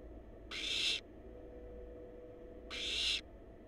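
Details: Barn owl babies in a wild nest box on a live cam give two breathy, rasping hisses about half a second long, two seconds apart, with a faint steady tone and hum beneath.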